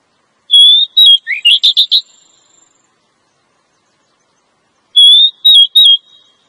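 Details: Oriental magpie-robin female calling to lure a male: a steady whistled note followed by a rapid run of rising, buzzy upswept chirps, then after a pause another short series of level whistles.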